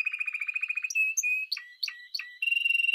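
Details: Quick song phrase of a Spanish timbrado canary: a fast trill, whistled notes, several sharp swept notes, then a closing steady trill.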